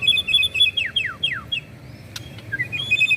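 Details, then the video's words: Young white-rumped shama kept caged as a contest prospect. It gives clear whistled notes followed by three long, steeply falling slurred whistles, then softer rising notes and a brief click. "MB MUDA CALON MERAMAIKAN TIANG BESI"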